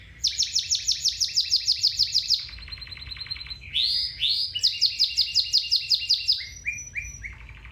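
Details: Singing domestic canary, recorded to help train a canary's song: bright high rolling trills, a lower buzzy rattle, a rising slur, then more rapid repeated notes and short clipped phrases, loud and close.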